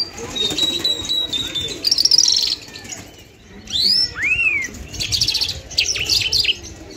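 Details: Lark of the Afghani lunda jal type singing thin drawn whistles, sharp down-slurred and arched notes and brief chattering bursts, separated by short pauses over steady background hiss.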